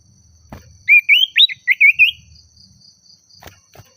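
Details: Oriental magpie-robin singing excitedly toward a rival: a quick string of six short twisting whistles, rising and falling, in about a second and a half, with faint low rumbling and a couple of clicks around it.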